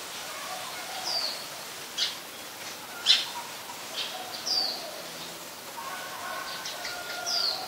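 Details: Scaly-breasted munia at Ubon Ratchathani, Thailand, on 31 December 2020 giving thin, high, brief call notes every second or so, over a soft hiss of outdoor background noise.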